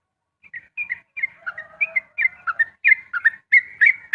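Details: Sooty-headed bulbul singing rapid 'ropel' song at dawn, starting with soft scattered chirps and building into louder, faster slurred whistled notes.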